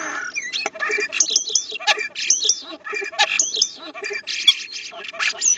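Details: Two common starlings at a nest box chatter nonstop: a busy jumble of wheezy whistles, sharp clicks, rattles and slurred notes, high and varied, with no pauses.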